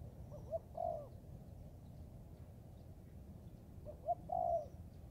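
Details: Spotted dove, young and of Thai type, training in forest; two widely spaced phrases, each a couple of faint short notes and a longer throaty coo, with quiet background.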